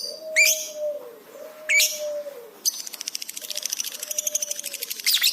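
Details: Lovebird in heightened, excited chattering, recorded as a masteran for training pet birds: sharp high chirps, then a fast buzzy pulsed rattle, over low smooth whistled notes sliding downward.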